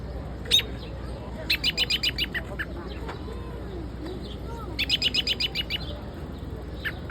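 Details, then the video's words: Small birds chirping in Central Park, with rapid series of high, sharp chirps repeated in bursts of about ten notes, separated by pauses, over steady low traffic-like background hum. "Beautiful Bird Chirping |Central Park"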